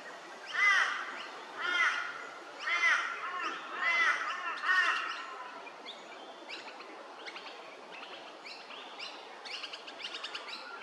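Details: Scaly-breasted lorikeet recorded in Hervey Bay, Queensland: five loud, grating screeches roughly one per second, then softer scattered chatter and faint chirps for the rest of the recording.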